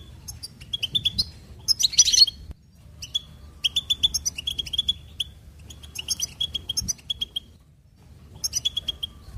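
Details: Goldfinch singing in lively phrases of rapid liquid twittering and sharp metallic chirps, one harsher buzzy burst near the start, phrases broken by short gaps, with a faint low hum underneath.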